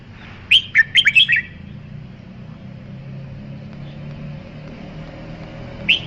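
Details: Red-whiskered bulbul giving one rapid phrase of about five liquid, chirpy whistled notes rising and falling, followed by a long pause and a single note at the end; low rumbling background noise throughout.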